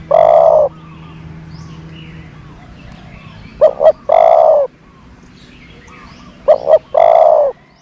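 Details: Dove kept as a decoy to attract other doves: a long low coo, then two phrases of a quick double note leading into a sustained hooting coo, spaced about three seconds apart.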